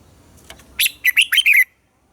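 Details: Red-whiskered bulbul morning song in the double-note 'già rừng' style, used to train captive birds. One quick phrase of five loud, bright whistled notes, rising and falling, clear and dry against a quiet background.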